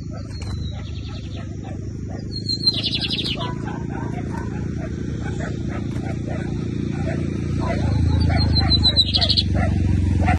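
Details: Bigodinho (lined seedeater) from a 2023 season song tournament, giving two quick, high, chattering phrases several seconds apart while people talk and a low mechanical hum runs throughout.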